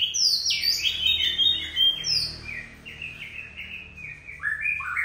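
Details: Old forest Oriental magpie-robin, said to be a fierce singer, pouring out a fast run of whistled, warbling notes, with descending slurs early and rising two-part phrases near the end.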